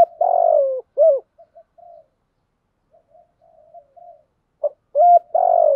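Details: Spotted dove used as a decoy to urge other males into song, giving deep throaty coos: a long coo and a short one, then quiet soft murmuring notes, and a fresh run of loud hoarse coos at the end.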